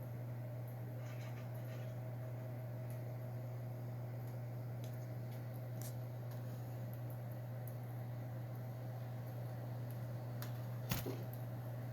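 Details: A steady low electrical hum and soft hiss continue throughout, broken only by a single sharp click, with no animal calls.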